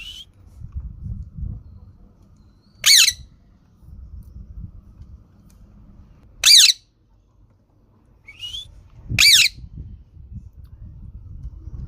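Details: ['Green parrot repeating harsh squawks at irregular intervals, three loud ones plus short faint chirps, over a low rumbling indoor background.']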